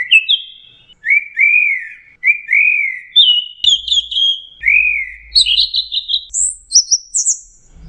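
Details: Orange-headed thrush lure song meant to trigger singing in stressed birds: repeated mellow, arching mid-pitched whistles, then a stepped climb through brighter phrases into piercing high slurs at the end.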